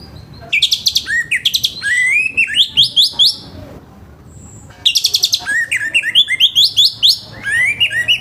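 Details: Orange-headed thrush in loud morning song, a harsh-toned recording used to stimulate other orange-headed thrushes to sing. Two long bursts of rapid, rising and falling whistled notes mixed with high buzzy trills, separated by a short pause.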